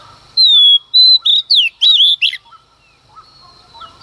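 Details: Early-morning singing by a female Oriental magpie-robin provoking males: one loud, clear whistle sliding down, then a quick run of sharp swooping notes, trailed by soft distant chirps.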